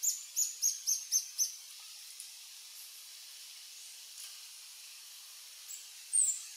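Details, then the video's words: Adult male Reddish Hermit of subspecies ruber singing at a lek on Sentier de Americains, French Guiana, March 2024: six quick, sharp, very high chips at the start, then near silence with soft forest hiss and one late squeak. "Reddish Hermit (Phaethornis ruber ruber) male singing on a lek"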